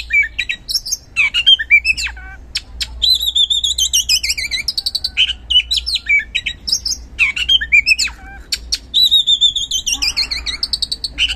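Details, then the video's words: Vigorous oriental magpie-robin song used as a lure for quiet magpie-robins: rapid clicks, short chattering notes and long sweeping whistled phrases that glide downward, repeated in bursts with brief pauses, over a faint low hum. "Pancingan Kacer Gacor Ngeplong | Cocok Buat Memancing Kacer Yang Malas Bunyi Auto Respon"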